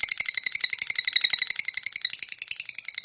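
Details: Gacor fighter lovebird in peak breeding condition, lure song in the ngetik ngekek style: fast rattling chatter of sharp high pulses, about four per second, steady throughout.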